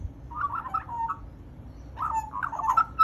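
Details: A magpie gives two quick bursts of gurgling, warbled notes about a second apart, with mixed slurred and fluty tones and a low hum beneath.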